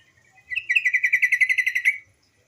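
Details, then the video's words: Lure call of a female yellow-vented bulbul, meant to get young birds singing and to call males: a short rising lead-in, then a fast steady string of crisp, buzzy pulsed notes for about one and a half seconds. "suara TRUCUKAN BETINA sebagai pancingan burung trucuk bahan agar cepat bunyi gacor"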